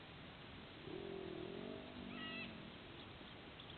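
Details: White-bellied sea eagle at its nest in Australia, the female bringing a fish and feeding two chicks, filmed by a live nest camera. A wavering, harmonic tonal call lasts about a second, then brief higher chirps follow, all over steady broadband hiss.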